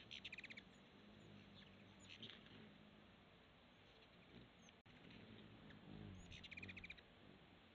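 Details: Hummingbirds filmed outdoors give short bursts of rapid, high, thin chips, one burst at the start and another near the end, with quiet background between.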